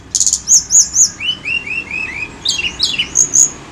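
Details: Tledekan gunung singing, lure recording: a fast buzzy trill, then a row of high chevron-shaped whistles and lower slurred notes, ending in bright rising and falling phrases.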